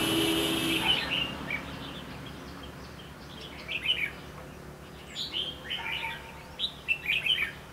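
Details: Wild red-whiskered bulbul in a fighting song duel with a caged decoy during trapping in Lương Sơn, Hòa Bình, Vietnam, perched overhead with tail cocked: short lively chirping phrases in bursts, with low background rumble.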